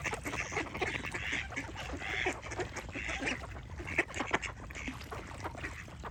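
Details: A dense flock of ducks gives drawn-out nasal quacks and rapid chatter that blend into a steady noisy chorus, with a couple of louder sharp calls near the end.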